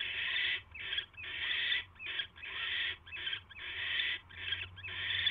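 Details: At a nest on the night of 22 January 2016, with a mouse being delivered, a barn owl gives harsh breathy hisses in about nine bursts, long ones alternating with shorter ones, above a faint low hum.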